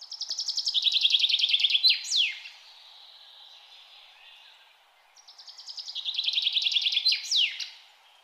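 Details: Two matching bird song phrases, each a fast, accelerating series of high chips that slides lower, then ends with a sharp descending flourish. A quiet gap of about three seconds separates them.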